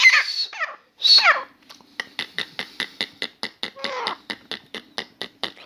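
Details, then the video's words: Grey francolin calling continuously indoors: two loud, rasping, descending phrases open, followed by a long regular series of short sharp clicks at a steady pace. "Grey francolin Dakhni Teetar song"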